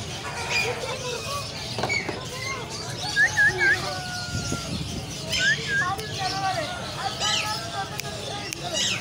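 An African grey parrot gives a few short, looping whistles in two quick bursts, over busy background chatter, voices and general household noise.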